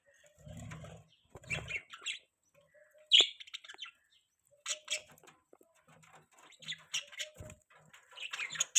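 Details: Budgerigar chirping while eating a green leaf: a steady run of short, bright, high-pitched tweets and squeaky notes in irregular bursts, with one sharp click-like note and occasional low rustling from feeding.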